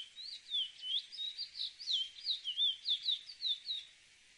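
A chestnut-bellied seed finch sings a fast, sweet warble of slurred whistles, rising and falling notes tumbling several times a second, over a faint hiss.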